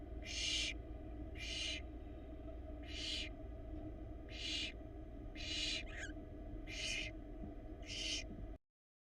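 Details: Barn owl nestling, Florida nest cam, 2022, fighting to swallow a huge rat: seven breathy screechy hisses at fairly even intervals, one with a faint squeak, over a low hum that cuts off at the end.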